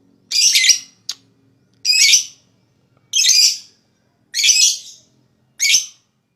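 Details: Lovebird therapy sound for stimulating rival birds to chatter: harsh, buzzy, high squawks about half a second long, repeated roughly once every one to one and a half seconds in near silence.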